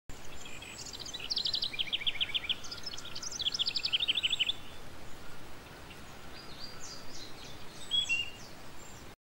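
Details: Young yellow lutino female cockatiel, once hand-fed and only recently feeding herself, begs an adult male for food. Quick series of short chirped pulses in bursts, then fainter scattered notes over steady background hiss.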